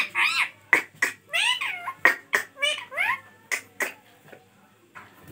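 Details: Pet ringneck parrot, a rose-ringed parakeet, presented as talking in Hindi indoors: a run of sharp squawky calls with looping rising and falling sweeps, interspersed with short clicky bursts, fading to quieter notes near the end.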